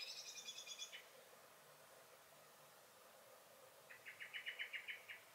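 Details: Common blackbird in a garden, 23 May 2021, singing and alarm-calling; a high pulsed trill opens, then after a pause a fast run of about ten hard chink notes, loudening toward the end.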